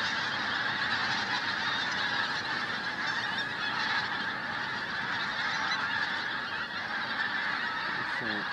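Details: Flitcham, 5 January 2017, a flock of pink-footed geese gives a constant babble of overlapping high honks, with a short low human voice near the end.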